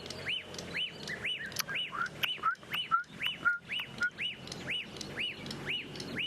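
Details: Black-backed Puffback at sunrise on 28 November 2016, a bird that puffs up its white back feathers when displaying: sharp, arched whistled notes about twice a second, joined midway by shorter, lower slurred notes.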